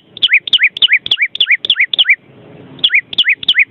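Vermilion cardinal giving a rapid series of bright, whistled two-part notes, a sharp high note then a rising slur, about three per second, with a brief pause.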